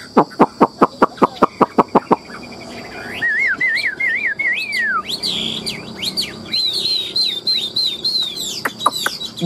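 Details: Caged Chinese hwamei offered for sale, singing in hot sunny weather at 8:30 in the morning. It opens with about ten sharp, evenly spaced strokes, then moves into wavering, warbled whistled phrases that rise and fall in a high register.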